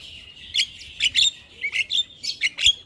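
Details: Starling song used as a recording to prompt silent caged starlings to sing: bursts of high, chattering whistled notes with sharp slurred chips, about seven phrases in three seconds over a faint steady background.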